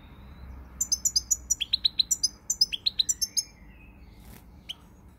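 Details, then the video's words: Goldfinch singing, dated 20 March 2020, a fast run of sharp high twittering notes and liquid chirps packed into a dense phrase lasting about three seconds, then a short silence with one stray note. "Pirlitan Chardonneret, El jilguero, bird, cardellino pezzato GOLDFINCH SONG"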